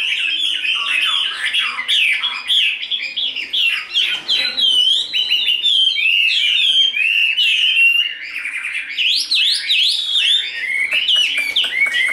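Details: Long, unbroken outpouring from a tame, large-bodied caged Chinese hwamei in đấu xòe fighting display, jumbled rapid whistles, trills and harsh chatter rising and falling without pause.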